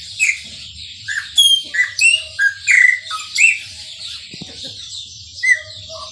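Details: Chopi blackbird singing in the Maranhãozinho song style, described as singing a lot: a run of short whistled notes, sharp slurs and bright chirps with rasping upper overtones, given in quick bursts with brief pauses; faint low hum beneath.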